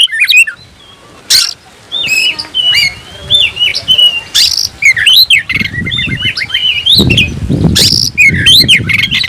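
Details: Oriental magpie-robin with spread tail singing to challenge a rival: loud whistled slurs and sharp notes in spaced phrases, with low thumping and rustling sounds growing toward the end.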